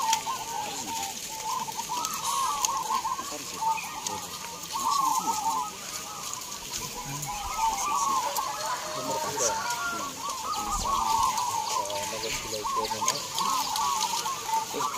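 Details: Many caged local zebra doves singing together at a singing contest in Gantangan Cemeraya, Gunung Kidul, Yogyakarta, Indonesia: dense overlapping trilled, bubbling coos held steadily through the clip, with faint background crowd noise.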